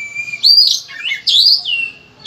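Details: Oriental magpie-robin in full-varied song: a thin steady whistle rising into loud, richly slurred warbling swoops, two strong phrases about a second apart.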